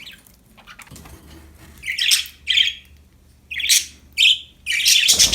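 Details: Happy pet budgerigars chirping: bursts of bright, buzzy, warbling chatter high in pitch, five loud phrases about half a second each, separated by short pauses, indoors with no other clear sounds.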